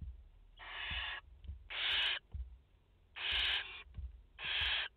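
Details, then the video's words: A nesting barn owl family in France, the mother and four chicks, recorded 30 August 2021. Four raspy hissing screeches come in uneven pairs, each under a second long and cut off abruptly. "Chouettes effraies en direct - Płomykówki - Mama i 4 pisklęta"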